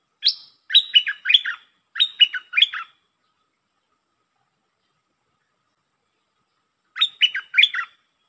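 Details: Red-whiskered bulbul singing in the 'lak boen' style: loud, quick phrases of three or four bright, warbled notes, with several phrases early on, a long silence, then one more phrase near the end. No other sounds.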